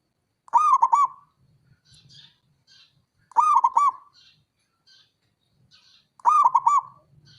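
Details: A local male zebra dove calls with three rolling phrases of staccato, husky coos. Each phrase is a quick run of four or five notes, repeated about every three seconds, over faint background rustles.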